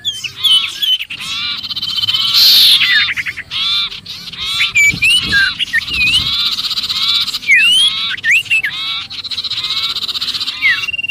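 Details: A noisy sirpu distress call suggesting a trapped bird, used to lure others. Dense harsh rattles and twisting whistled notes repeat rapidly and unevenly across the whole stretch.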